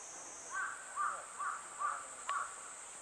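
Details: Crow, a natural enemy of a young goshawk feeding on a tree branch, recorded 6 July 2022 in Japan with no background music; five harsh caws about half a second apart, over a steady high insect hiss.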